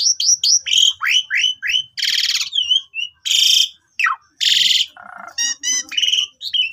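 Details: Asian pied starling singing in a long-phrased pumping style, used to lure other birds: series of falling slurred whistles, loud harsh rasping bursts, a rapid steep downsweep and a low buzzy note.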